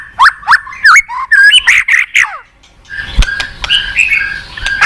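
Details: White-rumped shama song used as a lure for a reluctant singer: a loud series of short, varied whistled notes, followed by fainter chattering and clicks.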